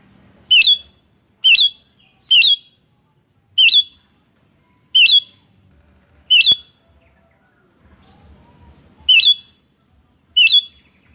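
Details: Sooty-headed bulbul (kutilang), lively birds in a lure and master recording: a string of single sharp, bright whistled chips repeated roughly every second, with irregular gaps and quiet between notes.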